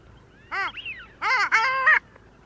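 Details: Close long-tailed duck at Liepāja, Latvia, in January 2024: a nasal arched note, a quick falling slur, then a loud broken yodelling call with rich harmonics.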